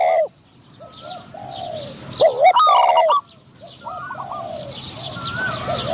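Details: During decoy trapping, a caged Spotted dove lures a wild one said to have a medium-pitched voice; a loud coo phrase with quick high chirps sits in the middle, with quieter coos and a faint rural background.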